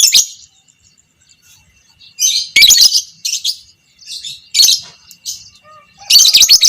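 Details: Lovebird of the violet Pb creamino type, a fighter bird, giving long chattering song used as a master recording to train other lovebirds: bursts of harsh, buzzy high chatter separated by short silences, with a faint steady whine underneath.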